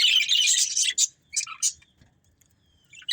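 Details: Budgerigars of a breeding pair give a second of buzzy, rasping warble, then a few short separate chirps and near silence before a final chirp.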